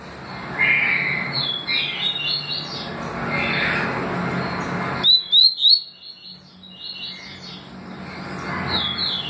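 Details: Double-collared seedeater song in tui tui and deputado styles: a short burst of three quick rising whistles midway through, with softer scattered chirps and steady hiss around it.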